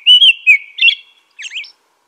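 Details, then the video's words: An American robin gives three rich whistled notes, then a softer, thinner twittering phrase that rises and falls. The setting is otherwise quiet. "American Robin Song.(Turdus migratorius)."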